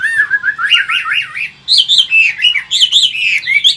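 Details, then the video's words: Old wild-caught Chinese hwamei, a big caged bird from Vietnam, sings in 'forest voice' style: loud, wavering whistled phrases that slide up and down, then a brighter run of looping, rising notes after a brief pause. "Chim già rừng, Cao cầu - Bộ to mẫu chim rất đẹp- Giọng rừng"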